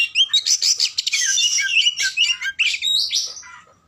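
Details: Rapid, energetic warbling from an Oriental magpie-robin, a dense stream of chattering notes, squeaky whistles and rasping fragments that runs almost without pause before fading out.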